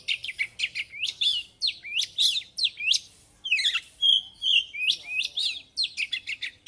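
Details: A vigorously singing Oriental magpie-robin delivers continuous varied song packed with learned phrases. Quick rising whistled strokes and chattering warbles repeat in rapid clusters, with a brief pure whistled run near the middle.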